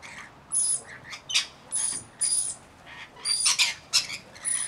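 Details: Rainbow lorikeets, a flock of some 40 with one baby, a busy run of harsh screeching calls, several birds overlapping, bursts about every half second.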